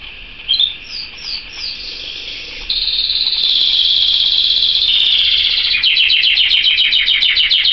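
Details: Canary song with three quick descending chirps, then a long, even, high buzzing roll that shifts into a faster pulsed, rattling trill near the end, bright and continuous.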